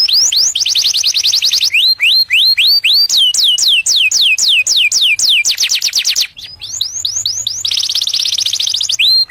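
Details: Canary singing to attract a mate: loud, continuous song of rapid buzzy trills alternating with series of slurred, rising then falling whistles, each phrase repeated several times, with a brief pause before the rapid trills resume.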